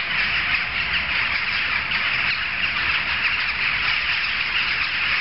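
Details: Crowded jackdaw flock calling nonstop, a thick mesh of short harsh chak notes overlapping so tightly that no single bird stands out; the din holds level from start to finish.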